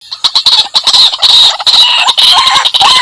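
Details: White-breasted waterhen lure recording: harsh, loud chattering calls in dense overlapping bursts, with strong high-pitched rasping tones and rapid irregular repeats.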